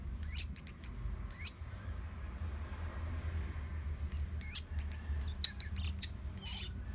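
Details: Orange-headed thrush song for training other songbirds: very high, thin chips and whistled notes in short bursts, a quiet stretch in the middle, then a denser, busier run of high notes toward the end.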